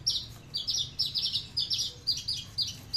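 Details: Aliena-type Horsfield's bushlark from Papua, a tame caged bird, singing very loudly with no bass: rapid clusters of high sliding, slightly buzzy notes tumbling downward in short groups, with a faint low hum underneath.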